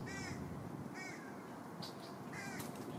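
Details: Three green heron (Butorides virescens) chicks begging at a nest at Lake Hollingsworth, Lakeland, Florida, competing and grabbing at a parent's beak for food, give three harsh, rasping squawks about a second apart with sharp clicks over a low rumble; Green Heron.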